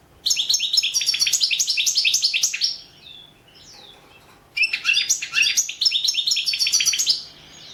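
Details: European goldfinch recorded as a competition entry in the internet World Championship in Goldfinch Song: rapid, bright twittering phrases of high, tinkling notes, a short pause with softer calls, then another burst of fast chattering song.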